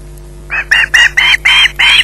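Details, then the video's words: Osprey at its nest at Loch Garten, holding a fish delivered at 20:33, screeching: six harsh, loud calls about a quarter second apart, starting after a brief pause and growing stronger, over a steady low hum. "Bynack screeching in possession"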